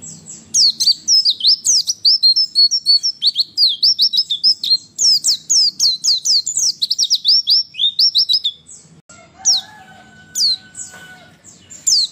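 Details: Female white-eye voice used to provoke males into fast response like wild birds: a long stream of rapid, high, sharply slurred chirps, then scattered notes over a steadier tonal sound in the final seconds.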